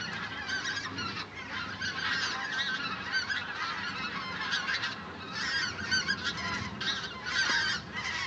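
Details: A very large migrating flock of common cranes gives a dense, overlapping chorus of loud, rolling trumpeting calls that swells and fades in waves.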